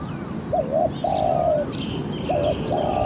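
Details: Decoy Spotted dove luring wild doves in a trapping session, its voice described as very good: hooked double coo, then a long flat hoarse note, and the pattern starting again, with faint high chirps from other birds.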